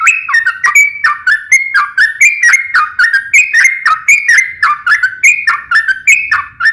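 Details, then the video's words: Trucukan, or sooty-headed bulbul, singing lively 'ropel ngeplong' style: unbroken run of bubbly whistled note pairs, a higher note slurring to a lower one, each with crisp ticking clicks above, repeated about three times a second. "KICAU SUARA trucukan gacor NEMBAK ROPEL NGEPLONG"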